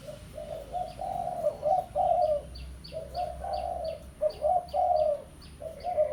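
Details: Spotted dove of the pesom style, a lure call meant to draw a rival. Mid-pitched rolling coos come in phrases of two or three with short gaps. A series of quick high chirps from another bird runs above them.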